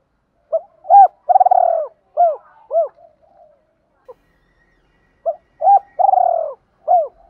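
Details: Spotted dove decoy calling to lure rival males: two bursts of cooing, each a cluster of short hooked notes around a drawn-out vibrating coo, separated by a near-silent gap of about two seconds.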